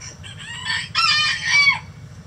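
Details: Mixed flock of egg-laying hens in a coop: a loud, harsh, harmonic squawking call in two bursts lasting about a second and a half, ending in a falling tone, over a low background hum.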